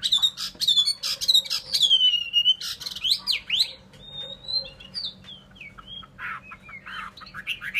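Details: Loud song of a Chinese hwamei: descending clear whistles, then swooping slurred notes and varied mimic-like phrases, gradually quieter and more broken with short high chips.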